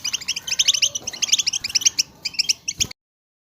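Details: Group chatter of European goldfinches, played to stimulate goldfinches to sing; rapid bright tinkling twitters in clustered bursts for about three seconds, then silence.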